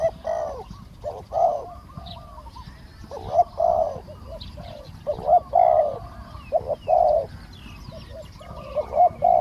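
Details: Spotted dove coos while a decoy bird lures a wild bird with a small voice. Repeated low, rolling coo phrases fill the sequence, with faint chirping in the background.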